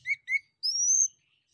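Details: Male orange-headed thrush singing strongly as a lure to draw replies from other birds: two short whistled chirps followed by a long, bright, gently rising whistle, with no other sounds.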